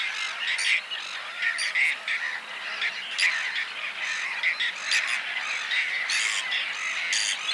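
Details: Whiskered terns (Chlidonias hybrida) in spring give harsh, rasping, scratchy calls, several birds overlapping in a near-constant chorus with louder bursts every second or so.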